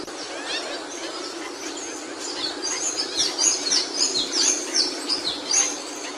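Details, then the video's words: Capuchino seedeater singing: a run of high, sharp whistled notes repeated roughly once a second in the second half, over a steady hum and other faint bird chatter. "CAPUCHINO CANTANDO"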